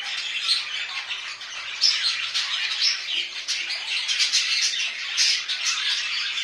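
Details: Pet budgerigars in home care chatter without a break: a dense, high, scratchy warble of clicks, squeaks and buzzy notes, steady in loudness throughout.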